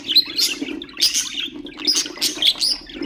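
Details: Budgerigar song played to stimulate other birds: quick sharp chirps and buzzy squawks crowded together, several bursts within three seconds, over a faint low hum.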